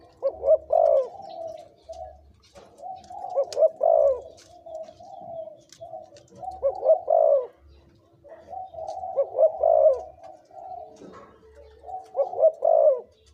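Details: Spotted dove, a 2–3-year-old decoy bird with big, middle and small voices. Low, mellow cooing phrases rise and fall in bursts about every three seconds, with softer overlapping coos between them.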